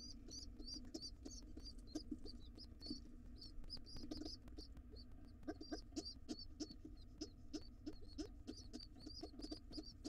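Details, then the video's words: Wild pigeon babies beg urgently for food from their returning father, giving dense, high-pitched squealing peeps in rapid series, mixed with scuffling, low thuds and wing rustles. "Pigeon nestlings are hungry!!!!! Dad comes home and the babies want to be fed fast."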